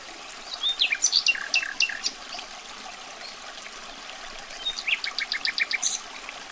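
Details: Common nightingale singing: two bursts of short, varied high chirps and clicks, with a quieter gap between the phrases, over a steady background hiss.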